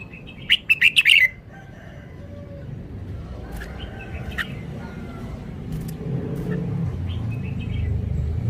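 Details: Caged red-whiskered bulbul performing its song style: an opening burst of rapid bright warbled notes, followed by faint chirps as a growing rumble of traffic-like noise fills the background.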